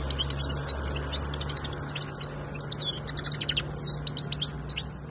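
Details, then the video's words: Goldfinch of the khalawi (wild) type, 2022 recording: a dense stream of high, tinkling twitters and short buzzy notes, continuous and lively, above a faint low hum. "تغريدالحسون الخوي twitter chardonneret"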